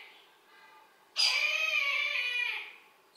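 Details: Close Brahminy kite at a window giving a loud, wavering, strongly harmonic cry lasting over a second, rising abruptly out of quiet and fading slowly.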